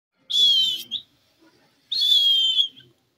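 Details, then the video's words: Pet green Indian parrot, the desi parrot, giving two loud, harsh, screechy calls, each roughly half a second long, separated by about a second of quiet indoors. "indian parrot talking, desi parrot voice"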